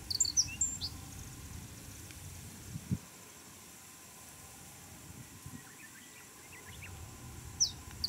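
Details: A male Japanese reed bunting in black-faced breeding plumage sings in blazing sun in Chiba, Japan, on 2 July 2017: brief, high, twittering phrases at the start and near the end, with faint softer notes between, over a low, steady wind-like rumble.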